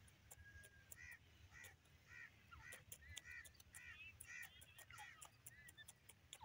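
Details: Francolin young, called desi teetar, giving soft nasal harmonic notes repeated in an irregular series, with sharp clicking sounds scattered throughout and a low rumbling background.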